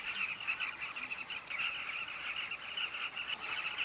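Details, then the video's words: Many carmine bee-eaters together at a breeding colony, Kavinga Safari Camp, producing a continuous wall of rolling, slightly buzzy chirps from numerous overlapping birds. "Carmine bee-eater colony"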